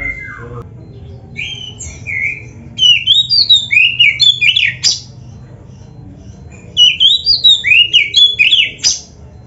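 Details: Kacer, the oriental magpie-robin, performing gacor song for caged-bird practice. A soft descending note comes first, then two animated bursts of varied whistled phrases swooping between mid and high pitch, broken by crisp clicks.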